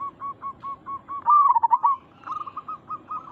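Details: Zebra dove of a local strain, sound meant to draw a quick reply from other zebra doves: quiet beaded coos, then a loud rolling burst midway, followed by another string of short, even coo notes.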